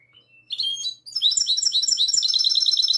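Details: Classical-style song of a goldfinch hybrid, recorded the night of 22 March 2020. A thin, high introductory whistle rises into a short warbled phrase, then a brief pause before rapid, bright, metallic twittering notes repeat continuously.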